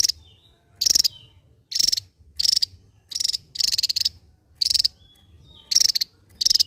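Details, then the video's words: Javan white-eye, endemic to Java, in loud drill-like song: harsh buzzy rattling bursts repeated about every 0.8 seconds, with faint thin whistles in the gaps between them. "SI MUNGIL BERSUARA T4JAM..SANG BURUNG ENDEMIK JAWA YANG MEMUKAU,GACOR NGEBREN BAK BURUNG BESAR"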